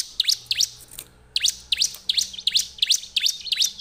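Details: Bar-winged prinia song used to prompt other birds to sing. Rapid high chirping notes come in paired and tripled bursts after a brief opening pause, bright and insistent over a quiet background.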